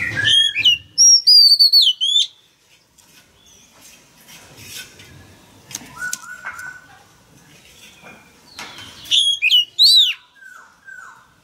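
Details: Male Oriental magpie-robin singing to prompt a young wild-caught bird to answer: bright whistled phrases at the start and again near the end, with clicks and rustling between them.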